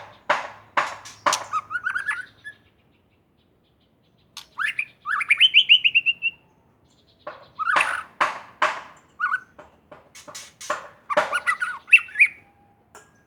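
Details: White-rumped shama from Aceh, Indonesia, in loud varied song: bursts of sharp clicks mixed with rich slurred whistles, a rising run of bright notes, then more clicking and whistled phrases separated by brief pauses.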